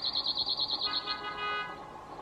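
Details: Male cirl bunting in Croatia: the end of a fast, high, buzzy rattle of evenly repeated notes, followed by a tonal, horn-like drone and steady background hum.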